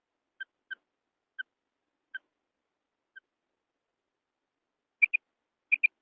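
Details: Female quail: soft, evenly spaced single peeps at first, then louder, higher double notes given in pairs near the end, in quiet surroundings.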